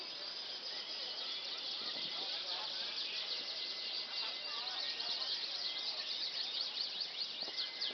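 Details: Pet canary singing a continuous, high-pitched song of dense rolling trills and rapid chattering warbles, steady in loudness throughout, over a faint hiss.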